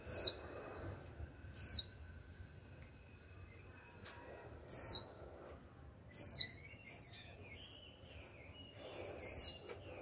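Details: Young female Japanese white-eye calling 'chíu' again and again to prompt males to sing: sharp, high, down-slurred whistles repeated irregularly, five or six in ten seconds, with a fainter wavering note in between.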